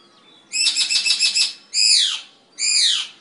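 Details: Eclectus parrot kept at home in Nawalapitiya, Sri Lanka: a loud, harsh pulsed burst of about seven rapid rasping notes, then two drawn-out grating screeches that drop in pitch at the end, over a quiet background.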